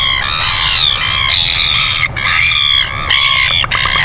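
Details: Northern royal albatross greeting on a nest camera at 5:57 a.m. on 25 December 2019: a drawn-out, rich, braying call that runs almost without pause, broken by two brief dips, with low wind noise beneath.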